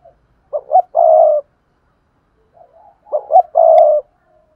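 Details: Decoy spotted dove calling to make other doves coo: two loud coos about two and a half seconds apart, each two short notes then a longer rough coo, with soft quiet coos between.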